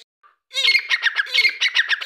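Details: Grey francolin, locally called Dakkni teetar, giving a loud, harsh, high-pitched call of rapid, evenly pulsed notes, about eight per second, continuing steadily for over a second after a short lead-in note, with no other clear sounds.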